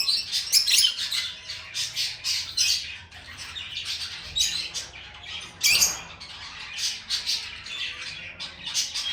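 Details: Continuous lovebird chatter: fast, high, raspy chirps run almost without a break, with one louder harsh squawk partway through.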